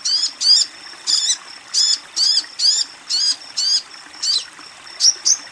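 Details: Female Ruby-cheeked Sunbird calling to a male: a steady series of drawn-out, rasping high notes, each faintly falling, about two per second. The call ends with two quick, thin chirps.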